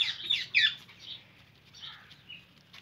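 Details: Indian ringneck parakeet: a couple of sharp, raspy screeches up front, trailing into quieter, softer chattering notes.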